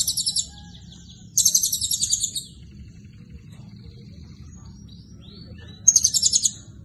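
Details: Blue-crowned hanging parrot in prolific song filled with cililin phrases: three bursts of very high, rapid chirping trills, each about a second long, separated by quiet gaps with faint thin whistles.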